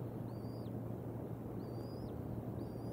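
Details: Two bald eaglets being fed at the Decorah North nest on a live camera, April 5, 2021. Three thin, high whistles, each rising then falling, come about a second apart over constant low-pitched background rumble.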